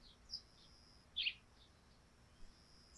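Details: Sparrows heard on a dewy thatched roof in the morning: a single short, bright chirp stands out, with fainter high chirps before and after over a quiet steady background hiss.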